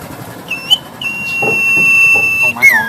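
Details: Black-headed sibia in full song while pumping: a brief rising whistle, then a long flat piercing whistled note held over a second and a half, ending in a falling slur, with faint background noise.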